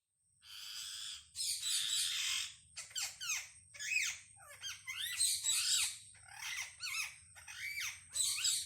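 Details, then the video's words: Wild parrots making different kinds of sounds as communication: a string of harsh, raspy squawks and screechy slurred notes, some rising and some falling, in short bursts with brief gaps. A steady thin high tone runs throughout. "Unbelievable sounds of parrot -amazing wild parrot sounds"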